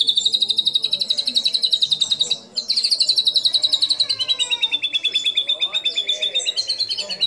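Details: White-rumped shama lure song: a sustained, rapidly pulsing high trill held at an even pitch for several seconds, briefly broken, then resumed, with fainter lower warbling behind it.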